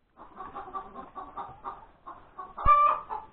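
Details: Hen after laying an egg, breakfast time on 31 January 2021: a quick, pulsing sequence of clucks building to one loud, drawn-out squawk, with a dull thump just before it.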